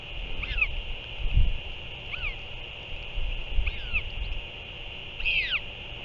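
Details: Northern royal albatross chick being fed by a returned parent, 6 April 2024: four short, downward-curving squeaky calls spaced one to two seconds apart, with continuous high hiss and soft wind rumble beneath.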